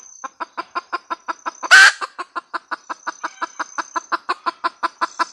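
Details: Red junglefowl hen cackling: a fast, even run of sharp clucks, about five a second, broken once near the middle by a single loud, harsh squawk before the clucking resumes.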